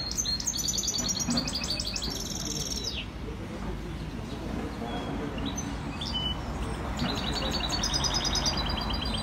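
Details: European goldfinch from Skikda, known as maknin, delivering fast tinkling trills of repeated high notes, a loud phrase at the start, a pause, then another sustained twittering run; low hum underneath.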